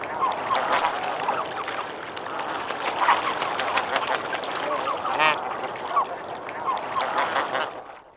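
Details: Snow goose flock at medium-close range splashing and calling in water: a dense, continuous chorus of nasal honks and yelps overlapping throughout, with water splashes.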